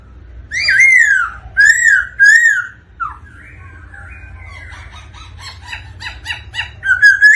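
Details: Black-throated laughingthrush sings and dances in response to a female's rolling call: three loud arched whistles, a pause, then a fast chattering run of short notes ending in a rising whistle.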